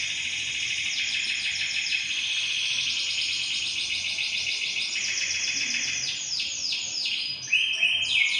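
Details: Bird song offered as tutoring material for songbird keepers: a continuous, dense stream of rapid, high, metallic trills and chattering phrases, changing pitch every few seconds, with a steady hiss underneath.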